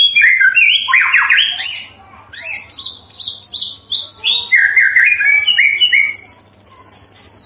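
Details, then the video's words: White-rumped shama delivering a varied melodious song of rapid chirps, sharp descending whistled slurs and quick twittering notes, ending in a long, steady high whistle. "MASTERAN MURAI SUARA MERDU"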